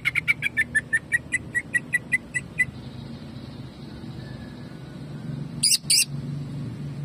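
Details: Greater green leafbird jamtrok song, a quick string of about twelve clipped whistled notes, then near silence with low hum before two brief harsh high bursts.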